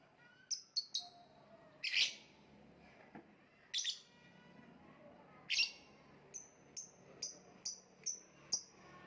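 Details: Lovebird kept as a kicau mania contest bird: scattered loud, shrill high chirps and short squeaks, some in quick runs of thin notes, over faint low background hum.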